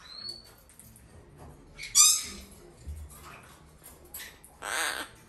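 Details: Hand-reared young female Red-shouldered macaw, domestically bred and kept indoors, letting out a sharp rasping squawk, then quieter sounds, then a longer, buzzy, harsh call near the end.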